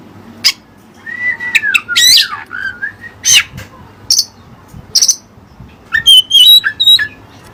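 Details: Oriental magpie-robin, or kacer, delivering mimicked Cililin song: drawn-out slurred whistles early, isolated sharp bursts, then a quick run of warbled high notes at the end.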